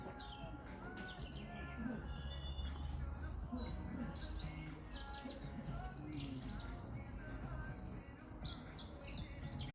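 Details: European robin singing heartily at a garden centre: varied, thin, high whistled phrases that shift in pitch, over a steady low hum, faint background music and brief speech.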